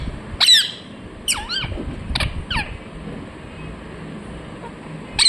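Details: Chirping of a ringneck parrot, a handful of separate harsh screeches, some bending down and back up, spaced irregularly across a few seconds over a soft rumbling background.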